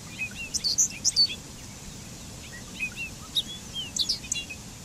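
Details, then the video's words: Bobolink song in hurried bursts: bright, tinkling high notes clustered at the start and end, with sparser soft chirps between, over faint steady hiss. "Canto del Charlatán"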